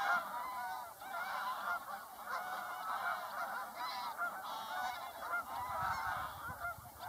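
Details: Mixed flock of geese honking continuously, with many overlapping nasal honks from several birds at once and a steady background hum.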